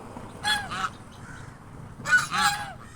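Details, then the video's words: A pair of swans resting in shade under a bush on a sunny day, calling to remind others of their presence. Two loud, brassy double honks are heard about a second and a half apart. "Swans making sounds reminding their presence"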